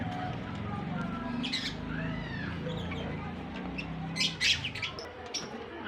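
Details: Lovebird pair, blue and white albino, kept as pets: rasping squawks and quick chirps break out in brief bursts, loudest near the end, above a constant low rumbling hum of background noise.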